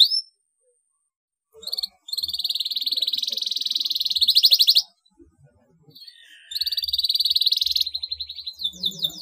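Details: Canary; song; to stimulate other canaries to sing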